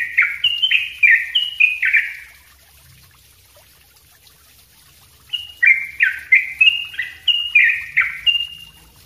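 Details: Yellow-vented bulbul singing a dense, rapid 'ropel' style song, kept for training other songbirds: bubbly bursts of short slurred notes descending and rising, about three per second, with a two-second pause midway.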